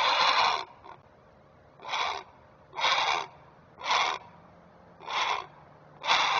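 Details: Great blue heron parent at a Chesapeake Conservancy nest cam, alerting while protecting its young on the nest: harsh, broadband squawks repeated six times at roughly one-second intervals, with quiet gaps between.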